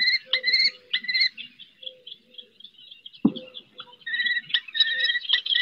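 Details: Common kestrel mother summoning a fledgling from a roof in the Ebro Delta's Riet Vell reserve, Spain: rapid series of thin, whiny, slightly trilled notes in bursts, pausing midway, with one sharp knock.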